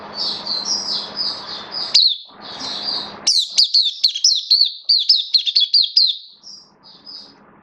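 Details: Kitaro oriental white-eye kept as a songbird, form slightly down, sings high rolling whistles over a steady low hum and noise, then a clearer sequence of quick looping notes ending in soft calls.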